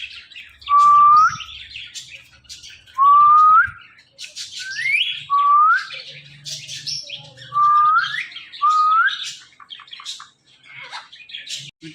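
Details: Household talking ringneck parrot repeating a loud rising whistle about six times over twelve seconds, the notes separated by softer scratchy chatter and a faint low hum.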